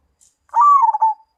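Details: A single zebra dove coo, known as perkutut Mojopahit: a brief rolling phrase that starts with a quick flutter and glides slightly downward, ending in a clear held note. No other sounds are heard.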